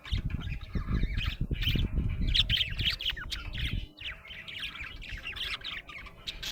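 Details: Happy budgie chattering: quick, bright chirps and squeaky warbled notes, many per second, with low thumping rumble in the first half that fades, leaving the chirps clearer.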